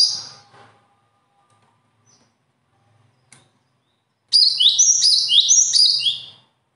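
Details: Songbird noted for natural talent: a brief tail of a high phrase at the start, quiet pause, then a two-second burst of rapid high descending chirps.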